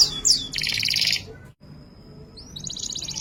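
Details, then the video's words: Canary giving a lively ngerek-style song rich in fills: swooping high whistles and a rapid buzzy trill, a short silence with a thin steady tone, then a rising slur into another fast high trill. "Masteran Suara Burung Kenari Full isian Gacor ngerek Gaya Mewah Istimewa"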